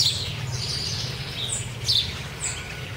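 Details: Wild chopi blackbirds being fed in Cuiabá, Mato Grosso, Brazil: a few short, bright chirps and upslurred whistled notes, spaced unevenly, over a steady low rumble.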